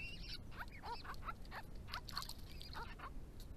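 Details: Grey-crowned babblers of a family group visiting water on a Victorian property in the hot months, calling to each other: a run of mewing, arched nasal notes and chatter.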